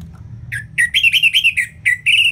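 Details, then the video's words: Orange-headed thrush in continuous full song, called ngeplong, used as a tutor recording to prompt lazy birds to sing: a fast run of loud, clear whistled and slurred notes, about eight in two seconds, over a faint low hum. "ANIS MERAH Ngeplong"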